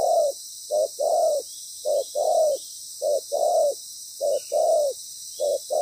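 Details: A loud-voiced spotted dove, moulting, used as a decoy in trapping, repeating two-part coos, short then long and level, about once per second; persistent high insect hum throughout.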